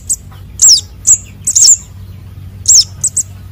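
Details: Sunbird chicks (konin and sogon) heard as a lure call: loud, very high squeaky chirps that slur downward, in irregular pairs and singles with short silent gaps.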